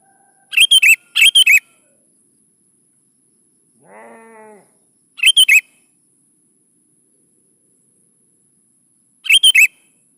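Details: Sooty-headed bulbul lure song for young birds: two quick phrases of bright slurred whistles, a soft harmonic tone in between, then two more phrases spaced about four seconds apart.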